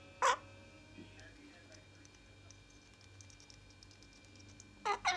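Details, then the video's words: A francolin gives two loud, harsh, grating bursts, one at the start and a double note near the end, over a low steady hum. "Mr francolin sweet little voice"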